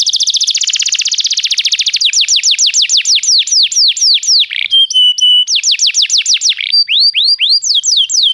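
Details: Canary song used to stimulate a canary to sing: a rapid buzzy trill opens, followed by series of clear descending whistled notes, brief steady tones and further swooping tours.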